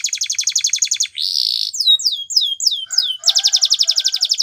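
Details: Spanish Timbrado canary training song: a rapid even rattle of repeated notes, a brief buzzy tone, several slow swooping descending whistles, then the fast metallic rattle returns.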